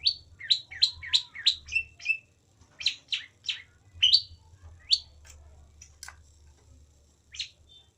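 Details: Long-tailed shrike delivering a rapid series of sharp, rising chirped notes, about six in quick succession, then spaced single notes and a few clicks fading toward the end.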